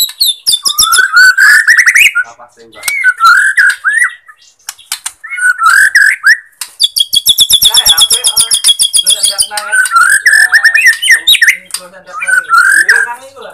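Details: Bornean white-rumped shama song used as a lure to rouse shamas that lack fighting spirit, stop singing or show low breeding drive: rich whistled phrases near one to two kilohertz, high thin trills, and a long rapid rattle in the middle.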